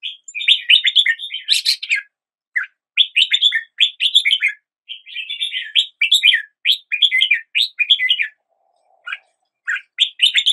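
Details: Red-whiskered bulbul delivering rapid runs of lively, twittering notes in phrases of one to two seconds separated by short pauses, one faint low note near the end; clean background.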